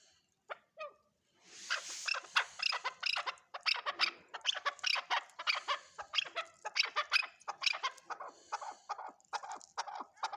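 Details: Chukar partridge (chakor) calling in a long, fast run of harsh chucking notes that builds after a quiet start and continues steadily for about nine seconds.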